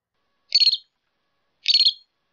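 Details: Two harsh, scratchy buzzing notes from a northern shrike, each about a third of a second long and about a second apart, in silence otherwise.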